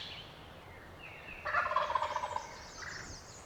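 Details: Male wild turkey gobbling from its roost during a spring hunt in the remote hills of Pennsylvania public land; one loud rapid rattling gobble of about a second, with small birds chirping faintly in the background.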